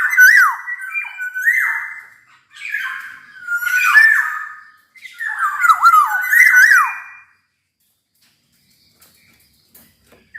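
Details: Series of raspy, slurred whistled phrases from a Black-naped oriole, several phrases over seven seconds with short gaps, then near silence; possibly indoors.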